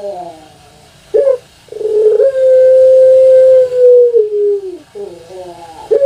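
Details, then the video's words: Caged puter pelung dove kept in Indonesia, where the bird is well known on Java, giving its long-voiced coo: short rough opening notes, then a steady drawn-out hooted tone held about two seconds before dropping away. "PUTER PELUNG SUARA PANJANG"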